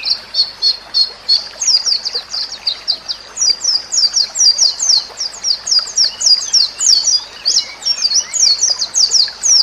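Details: White-rumped shama song used as a training recording for other shamas: a fast, steady string of high, sharp down-slurred notes, about three per second, carried without pause throughout.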